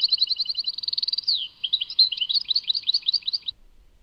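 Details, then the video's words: European goldfinch singing, Tadmait: evenly spaced paired chirps speeding into a fast trill, a descending slide, then a varied twittering run of bright whistled notes. "Chant chardonneret Tadmait"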